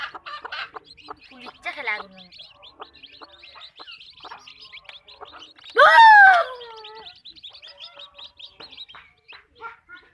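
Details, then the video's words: Backyard farm hens: quiet scattered clucks and chirps, then one loud, harsh, falling squawk about halfway through, followed by soft clucking again. "Backyard chicken farm | chickens clucking | hens clucking"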